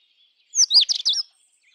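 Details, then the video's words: Indian robin gives a brief, bright warbled phrase of quick high whistled notes, rising and falling, lasting under a second in an otherwise quiet setting. "Indian Robin Sound ! Indian Robin Singing Song ! Indian Robin Call"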